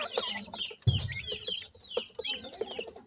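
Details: Grey francolin family, chicks feeding: quick high slurred peeps repeating several times a second over soft tapping, with one low dull thump early on.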